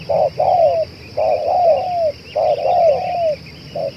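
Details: Cooing spotted dove, described as calling tirelessly for two hours and fit for use as a lure: clipped opening notes followed by longer downward-sliding coos in groups, steady high buzz in the background.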